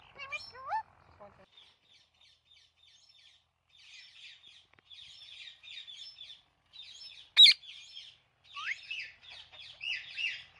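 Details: Talking parrot chirping naturally: an opening rising whistle, then soft, rapid, buzzy chirps, a sharp click, and louder upswept whistled notes near the end.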